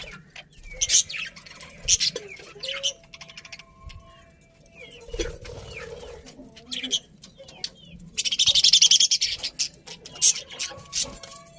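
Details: Budgies chirping with scattered short whistles and clicks, a softer warble in the middle, then a loud, rapid, rattling burst of chatter followed by a few more whistled notes.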